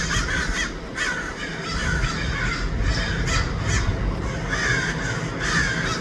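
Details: Several crows in Los Angeles give loud, harsh, separate caws roughly once a second among fainter overlapping calls, with a constant low-pitched rumble behind them.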